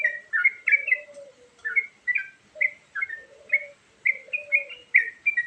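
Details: Sooty-headed bulbul, a varied song used to attract birds, made of bouncy, paired, slurred whistles repeated in short phrases, with a quieter low drawn-out whistle weaving beneath.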